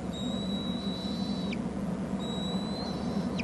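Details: Bald eagle nest on Hornby Island as an adult arrives with food for the eaglets: two long, thin, level whistles, each ending in a sharp downward drop, over a steady low rumble of wind or camera noise.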